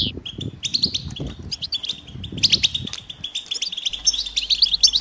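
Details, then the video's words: European goldfinch mating calls, said to stir males to sing: short bursts of high, liquid twittering broken by brief pauses, some quick metallic notes, over faint low thumps and rustling. "حسونك صامت لا يغرد أسمعه هذه البتبتة 💯💪💪 نذاءات التزاوج والتجهيز"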